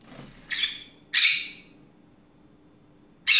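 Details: Loud harsh screeches from a pet green-cheeked conure on an afternoon rant, a pair of squawks in the first second and a half, then a pause before another begins, room hum behind.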